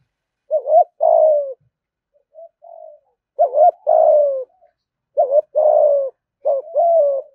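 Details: Spotted dove in the fast 'thúc gù' cooing style, a voice said to bring wild doves quickly to the fighting perch. Low phrases about every two seconds pair a quick double hoot with a longer falling coo, and soft notes come between them.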